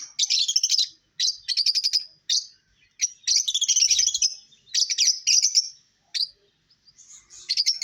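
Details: Lovebirds chirping and singing: rapid clusters of high, sharp chirps and chattering trills in short bursts about a second long, separated by brief silences.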